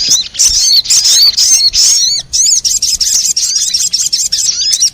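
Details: Sogon, a lure recording played to attract wild sogon birds: dense, high, sharp chattering with quick up-and-down whistled notes in bursts, pausing briefly near two seconds, then continuing in rapid clipped phrases.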